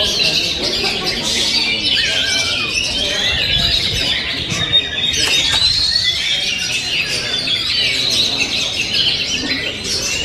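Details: Continuous oriental magpie-robin song mixing clear whistles, quick trills and scratchy notes, including a long level whistle midway, with no breaks.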